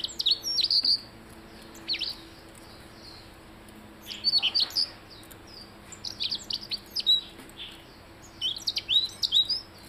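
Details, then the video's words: Blue-headed rock thrush singing: bursts of high, sharp whistled and chirping notes with quick downward slurs, delivered in phrases about every two seconds, separated by short quiet gaps; faint steady hiss in the background. "Burung Pintar Robin Kepala Biru"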